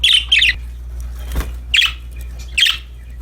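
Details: Happy budgerigars playing: loud, bright double chirps at the start, then single harsh chirps about a second apart, with a soft thud in between.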